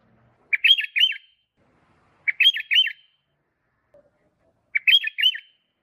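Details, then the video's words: Sooty-headed bulbul singing, recorded as a lure for young birds: three identical chirpy phrases, each of three to four rapid curling whistled notes, spaced around two seconds apart in otherwise quiet surroundings. "suara burung kutilang"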